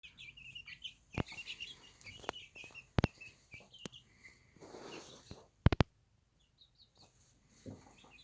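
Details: Baby chicks on a small farm before their night rest, giving soft, high repeated peeps that fade after a few seconds, along with loud sharp clicks and rustling.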